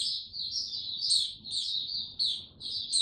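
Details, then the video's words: Male white-eye (mata puteh) recorded 6 March 2022, warming up and gaining confidence before opening into full song; thin high twittering phrases run almost without pause, with sharper upward notes about every second against quiet background. "Mata Puteh Before he open buka Tsunami Video 1 gaining confidence to buka slow n steady"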